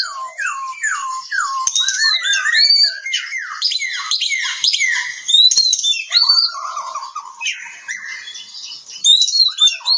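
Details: Oriental magpie-robin (kacer) from Kebumen, Central Java, singing a fast, varied run of whistled notes, with loud downward-slurred phrases and high sweeping whistles tumbling over each other almost without pause.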